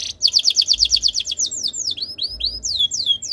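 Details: Canary song used as a tutor for other canaries: a rapid run of about ten bright repeated notes, followed by slower looping descending whistles.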